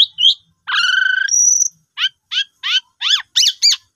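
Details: Asian pied starling song used as a lure for birds that have gone quiet: a harsh layered rattle and a high whistle, followed by six evenly spaced rising-falling chirps.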